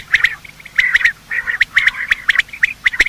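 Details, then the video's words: Male and female quail in morning chorus, used as a hunting call: rapid, bright chattering notes run together with sharp clicks, strung in close groups over three seconds. "Quail calling sound: master the Art of Quail tripping | Bater Awaz Subha"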